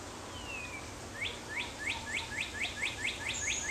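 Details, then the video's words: A chickadee chick, whose nest also held a cowbird chick, gives a rapid run of short, scratchy, high chips, about four or five a second, while being fed; a thin descending whistle sounds briefly first. "chickadee feeding chickadee chick"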